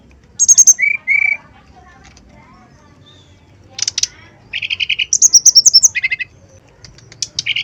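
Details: Male brown-chested jungle flycatcher lure song: a high whistle and two lower trilled whistles, a short silence, then rapid buzzy trills, a fast run of high piping notes, and lower rattling phrases.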